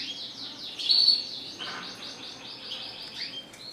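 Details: Red siskin delivering a long, rapid series of repeated descending slurred notes, a steady twittering trill broken by one brighter whistled note near the first second.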